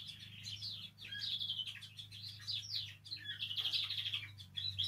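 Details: Canary heard singing, intended to stimulate canaries to sing: a soft, continuous warble of varied chirps and short twittering phrases, moderately quiet, over a steady low hum.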